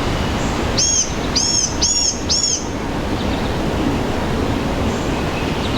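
Blue-gray gnatcatcher giving four thin, high, slurred notes about half a second apart, over a steady broadband rush like wind or distant traffic.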